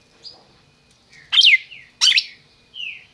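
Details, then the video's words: Captive red-crested cardinal from a Brazilian breeder, giving two loud sharp descending chips separated by half a second, framed by softer whistled slurs before and after. "Cardeal MAQUINA chamando e cantando"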